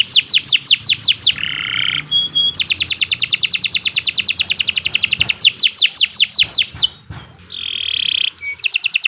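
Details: Kenari Nusantara canary in long, lively song used to tutor other birds: rapid series of high descending whistled sweeps, a buzzy low trill, then a long fast metallic rattle and more sweeps.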